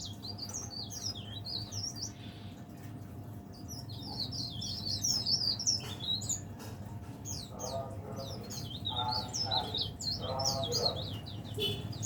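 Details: Leaf warbler kept in a cage, singing continuously through the day; long stream of rapid high zigzag whistles and chatter, with some lower clattering sounds and steady background hum.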